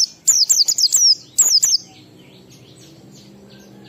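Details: Oriental white-eye singing ngalas-style song in 12345 rhythm, played to prompt kept white-eyes to sing; rapid bursts of high, thin, downslurred whistled notes, about five in quick succession, then a shorter pair, followed by quiet background hum.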